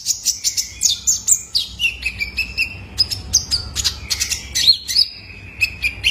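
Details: Juvenile male Ruby-cheeked Sunbird (kolibri ninja) used to train cage birds: steady, lively high chirps roughly several per second, mixed with short sliding whistles that dip lower in pitch.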